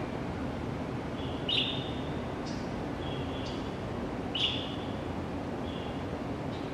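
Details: Early-morning pale thrush at a Zhongli District elementary school, Canon PowerShot SX700 HS recording: two clearer high thin calls about three seconds apart with fainter notes between, over a noticeable low background drone.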